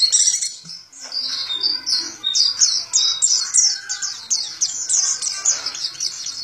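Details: Indonesian pet white-eye, a Zosterops valued for mimicking other birds, sings energetically: a dense run of quick downslurred chirps repeated several times a second, high and sibilant, over a faint low hum.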